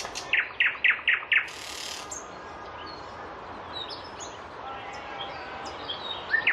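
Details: A Moscow nightingale sings a rich song of about 14 phrases delivered in rapid patter, said to weave in tit, starling and rattling notes. It opens with five quick, loud repeated notes, then a brief rasping burst and softer varied chirps over hiss.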